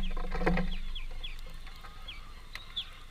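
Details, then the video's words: A feeding greenfinch family at a workplace gives a rapid series of thin, high, falling call notes, with a low droning hum and a brief knock near the start. "Greenfinch family"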